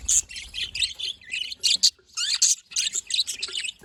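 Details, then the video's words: Budgerigars chattering cheerfully, rapid buzzy chirps and high squeaks in clustered bursts with a short gap midway, a few rising whistled notes among the warbling. "happy budgies parakeet budgies"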